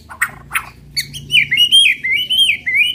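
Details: White-rumped shama song meant to provoke other birds: two harsh rasping notes, then a continuous rich warbling phrase of looping whistles that wavers up and down without break.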